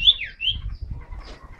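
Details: Sirtu cipow bird recorded on a phone, singing in a lively, continuous style: two clear whistled notes that slur downward, followed by softer chirps. Low background rumble and nearby talking are also heard.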